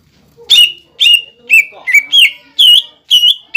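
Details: Loud cucak ijo, meant to rouse young birds into song: strong whistled notes roughly twice a second, each a sharp attack sliding into a ringing held tone, with faint lower chirps behind.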